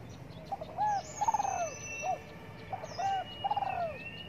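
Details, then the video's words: A spotted dove coos while sunning itself in the morning. Two clear, soft phrases are heard, each a short coo followed by a longer, rolling, slightly falling croo. Faint high bird chirps sound in the background. "Cu Đất Gáy Gù Phơi Nắng Sáng"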